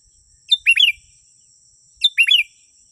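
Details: Sooty-headed bulbul, played to attract wild birds: two brisk, warbled phrases about 1.5 seconds apart, each opening with a sharp high note and tumbling down through several liquid chirps. A thin electronic whine continues throughout.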